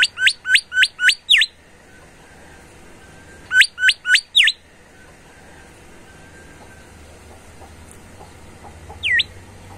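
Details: Bimoli singing actively: bursts of four to five quick, sharp upslurred whistled notes in rapid series, a pause of about two seconds, another burst of four notes, then a single downslurred note after a long gap. A low background hum is also heard.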